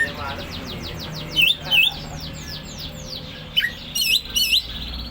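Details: Ngentrok song of a greater green leafbird. A quick series of descending whistled sweeps gives way to separate bright upswept whistles, paired and repeated, over a low background hum.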